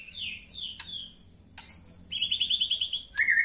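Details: Female white-rumped shama rousing call for pairing: slurred whistles, a sharp click, a steady high whistle, then a fast buzzy trill of repeated notes ending in a rough chatter.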